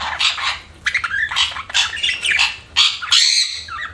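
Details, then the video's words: Budgerigars chirping loudly: harsh, squawky bursts mixed with short whistled notes, coming in quick irregular groups, ending with a brief clear whistle before fading. "BUDGIES CHIRPING SOUND"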